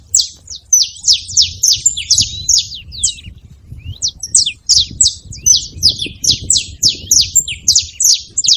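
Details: Several saffron finches noisy together, dense runs of high sharp downslurred chirps around three per second, a short gap near the middle, light background rumble.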